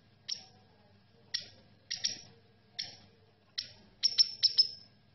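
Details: Red siskin giving sharp, high chirps spaced about a second apart, then a quick cluster of bright notes near the end, over a faint low hum.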